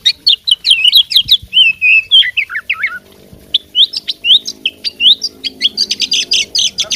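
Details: Oriental magpie-robin, a fighting bird, singing an energetic medley of sharp chirps, downslurred whistles and quick trills, broken by a short gap before another rapid, scratchy run.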